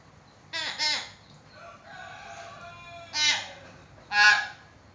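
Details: Chatty common hill myna giving a harsh double squawk, a softer drawn-out nasal note, then two more loud raspy calls about a second apart.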